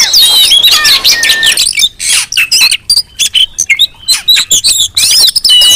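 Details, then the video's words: Oriental magpie-robin calling, played as a lure to provoke other magpie-robins. Rich sliding whistles open the stretch, then break into short, sharp chattering bursts separated by brief gaps, before fuller whistled phrases return. "Suara Kacer ribut Rame Banget sangat cocok buat pancingan"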